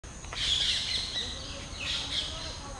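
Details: Red-whiskered bulbul chicks, being fed by the parents, give harsh, hissing begging calls in two bursts of about a second each, over a faint low background hum.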